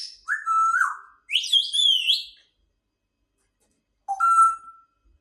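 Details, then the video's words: Grey parrot whistling: a wavering tone dropping at its end, then a warbling higher phrase, and after a gap a single level whistled note. "grey parrot so beautiful and amazing sound"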